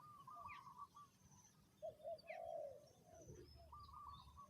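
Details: Spotted dove cooing in a rural outdoor setting: a short run of low, soft hooting coos in the middle, faint against the ambience, with higher thin whistled notes from other birds before and after.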